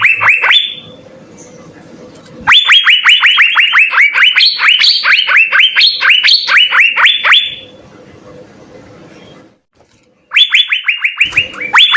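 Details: Full, lively song of an Asian fairy-bluebird used as a master for songbird training: a long volley of quick upslurred whistles lasting five seconds, a quiet stretch, then the series starting again.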